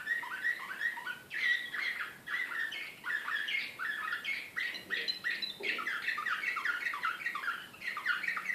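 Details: Canary of the Serbian slavujar song style, Belgrade, 2014, singing a continuous fast run of rolling trills and chattering note groups, phrases shifting every second or so without pause, against a soft background hiss.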